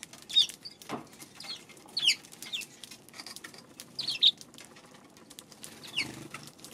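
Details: Eurasian tree sparrow recorded on March 2, giving short, sharp, high chirps in scattered bursts roughly every two seconds, some doubled, with soft rustling and flutter-like noises in between.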